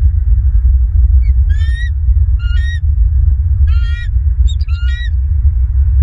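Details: Bald eagles at their nest in Southwest Florida on the morning of 2 December, with a pair testing the nest bowl: four bursts of high, thin chittering notes, over heavy low wind rumble.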